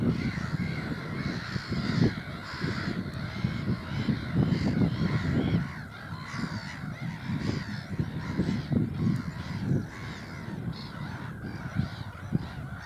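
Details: Noisy black-headed gulls at Burwell Fen, Cambridgeshire, UK, on 15 April 2015: harsh, nasal overlapping calls from several birds, steady through the clip, over a heavy low rumble of wind.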